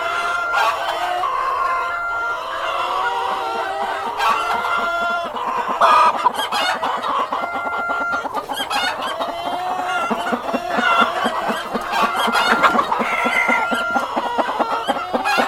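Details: Cockerel and hens heard in a dense farmyard chorus: many overlapping clucks and cackles with drawn-out tonal squawks, busy and continuous throughout, occasional sharper bursts, no clear single voice standing out.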